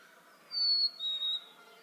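A Black-capped Chickadee gives its clear two-note fee-bee, a high pure whistle dropping to a lower one.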